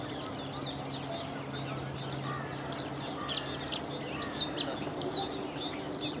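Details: Dunnock singing close by beside the Long Water, a normally shy bird: a fast, high warbling jumble of thin twittering notes, starting softly and growing fuller after three seconds, over a low steady background hum.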